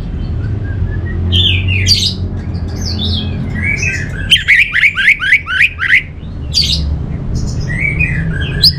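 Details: An orange-headed thrush (Geokichla citrina) sings varied, sweet whistled phrases with a quick run of about six sharp repeated notes, over a steady low hum.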